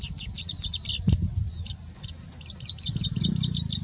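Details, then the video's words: High, sharp chirps in quick runs from a singing bushlark in India, a brief pause midway before another rapid string; the song weaves in mimicry of other species, faint low rumble behind. "Singing Bushlark singing and mimicking for more than three minutes straight"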